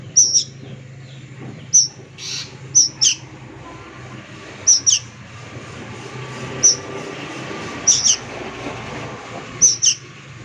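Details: Young plaintive cuckoo calling with short, piercing high squeaks, single or in quick pairs, spaced irregularly about a second or two apart across ten seconds, with a faint low rumble and occasional hissy bursts behind.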